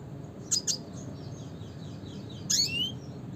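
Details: Red siskin giving its classic call: two sharp high chips, then a buzzy downward-sweeping note with a rising tail, over low steady background hum.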